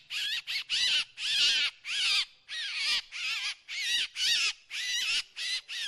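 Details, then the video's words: Drongo decoy sound: rough, wavering buzzy calls of uneven length, some clipped and some drawn out, delivered in an irregular rapid series. "เสียงนกแชงแชว ສຽງນົກແຊວ ສຽງຕໍ່"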